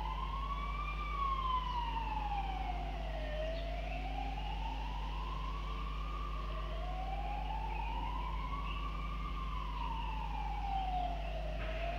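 A wailing emergency-vehicle siren sweeps slowly up and down over a steady low hum of traffic, with no animal calls.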